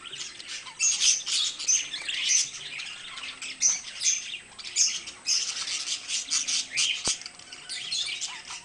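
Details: Two pet budgerigars give loud, harsh squawks in bursts over a background of scratchy, high warbling chatter, with a single sharp click near the end.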